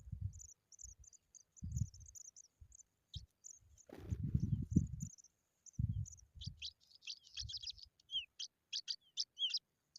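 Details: Pipit caring for its chicks: thin, very high chirps run steadily at first, broken by low thumps and rustling, then a quick series of sharp, high notes that sweep down and up.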